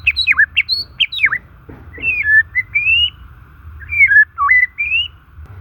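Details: White-rumped shama singing naturally for luring and encouraging stalled, stressed shamas: rapid sharp downslurred whistles at first, then smoother rising notes and drawn-out whistled phrases with short gaps, against a faint constant hum.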